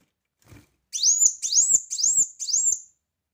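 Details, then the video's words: A brown-throated sunbird repeats four bright, high rising-then-falling whistled notes, each about half a second long, delivered loudly in an even sequence. "Kolibri Wulung Gacor Tembakan Keras"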